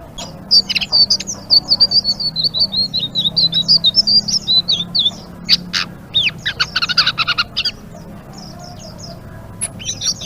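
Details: Blue-winged leafbird pouring out a long 'ngeriwik' phrase: a run of rapid, evenly spaced high chirps rolling into wavering whistles, then a burst of harsher buzzy notes before trailing off.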